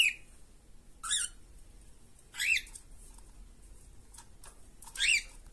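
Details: Two cockatiels in a cage give three harsh, screechy chirps with a whistled rising edge, spaced a second or two apart, over quiet background hiss.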